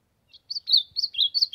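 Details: Ultramarine grosbeak singing to warm up, in the sertão. A quick phrase of high, slurred whistled notes that rise and fall around the upper range, delivered in a tight run of five or six elements over a silent background.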